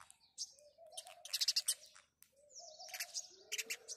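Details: House sparrows chirp in the morning, loud clusters of rapid bright notes alternating with short pauses, while a dove coos low and steadily beneath them.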